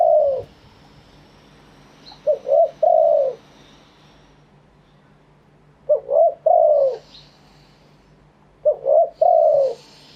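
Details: Spotted dove crowing live, Thailand, in authentic wild phrasing (kharm pa thae): three evenly spaced phrases of two brief coos leading into a long, full falling coo, about every three seconds, with soft hiss in the background.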